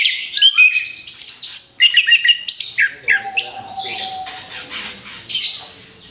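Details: Orange-headed thrush just out of moult, in a therapy recording: rapid sequences of clipped high notes and short whistles in rhythmic runs, followed by denser chatter above a faint level tone.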